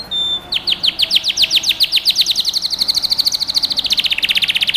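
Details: Canary singing to teach young birds: a brief pure whistle, then a long run of rapid down-slurred chirps repeated about ten times per second, speeding slightly toward the end.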